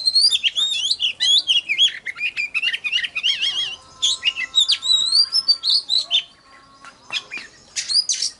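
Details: Lure recording of an oriental magpie-robin in rich song: rapid, fluid whistled phrases with warbling slides. A brief pause follows, then more clear upward whistles. Faint flapping is also audible.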